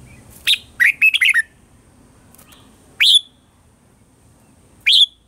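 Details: Red-whiskered bulbul singing the 'old forest voice' morning song used as a lure for training birds: a fast warbled run of several chirpy notes, then two separate rising whistles about two seconds apart.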